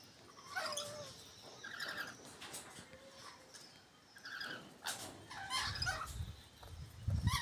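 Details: Lorikeet at Tamworth, New South Wales, Australia, giving short, shrill chirps and harsh screechy bursts at an uneven pace, with a low rumble of background noise near the end.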